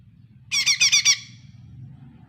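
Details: Lesser green leafbird used as a lure to get a non-singing bird calling: a quick string of four or five bright, high, trilled notes, then quiet low background hum.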